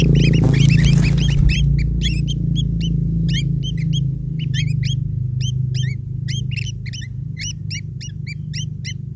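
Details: Long-tailed shrike chicks begging while a parent feeds them: after a rough handling noise, evenly spaced high upslurred squeaks about four per second, sometimes doubled, over a heavy low hum.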